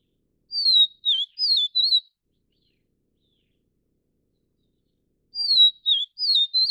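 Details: Vivid niltava of the subspecies vivida, found only in Taiwan's mountain broadleaf forests at 1,000–2,400 m. Two clear high whistled phrases come about five seconds apart, each with four slurred notes that rise and dip. The background is quiet between them.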